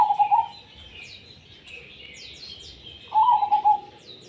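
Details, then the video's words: Perkutut, the zebra dove, in gacor song called tumpang sari. A short rolling coo opens, then silence for over two seconds, then a longer bubbling, trilled coo. Small birds give high, falling chirps behind. "perkutut gacor tumpang sari"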